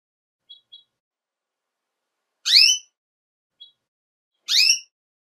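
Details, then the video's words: Female Belgian canary calling during breeding season to get males ready. Two loud, buzzy, harmonic-rich calls about two seconds apart, with faint short high chirps in between. Quiet background. "FÊMEA DE CANÁRIO BELGA CHAMANDO MUITO PARA APRONTAR MACHOS"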